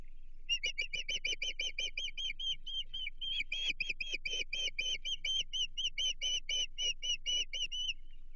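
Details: Agitated osprey calling from its Chesapeake nest, 15 June 2023, as a stranger approaches: a sustained series of high, piercing whistled chirps, roughly four each second for over eight seconds, briefly bunching and intensifying midway.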